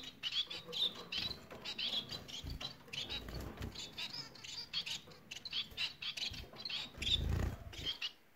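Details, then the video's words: Song of Bengalese finches, a continuous stream of rapid high chirps and scratchy trills, with some low rustling and thuds in the background. "Bengal ispinozu ötüşü Bengalese Finches society singing"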